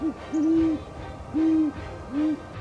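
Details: Great horned owl giving its most characteristic humming hoot, used for communication: three deep, smooth, slightly arched hoots, the first longest, spaced under a second apart against a quiet background.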